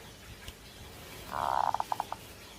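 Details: Zebra dove in breeding condition: one cooing phrase, a rolling trill breaking into five or six spaced, slowing beats, against a noisy hiss.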